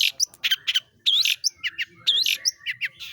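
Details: Long-tailed shrike, a pentet bird, giving a varied burst of harsh chattering notes mixed with short squeaky rising whistles, loud and irregular, about one phrase per second.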